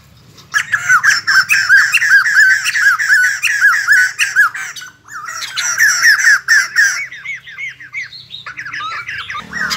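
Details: White-crested laughingthrush, kept bird, singing and dancing: a loud, raucous cackling chorus of rapid repeated slurred notes, a short gap near the middle, then more chattering bursts that fade to quieter squeaky notes.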